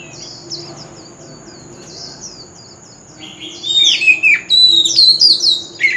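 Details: Oriental magpie-robin in wild-type song, used as a lure for singing contests. Faint, soft, falling whistles give way midway to loud, rich phrases of high whistled, slurred and trilled notes that rise and drop sharply, under a steady high hiss.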